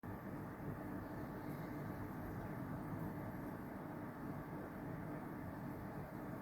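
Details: Continuous low, even rumble of traffic-like background noise, without any cooing or other animal sound.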